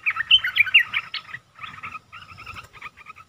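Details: Red-eyed bulbul song, 10 August 2021: a loud, rapid jumble of liquid, warbling notes for over a second, then softer, evenly spaced chirps repeated about every quarter second, with a faint steady hum beneath.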